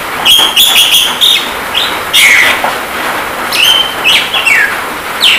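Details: Javan myna song used as masteran training for caged birds, mixed with rain sound. Bright whistled notes, some sliding down, come in quick bursts over a steady hiss of rain.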